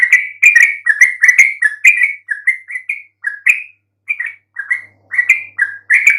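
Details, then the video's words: Yellow-vented bulbul chirping played to provoke silent birds into replying: bubbly, slurred two-part notes in quick bursts, broken by short pauses, with nothing else audible. "coba sekali PANCING trucuk BISU MANAPUN pasti RESPON NYAUT dengan kicauan ini"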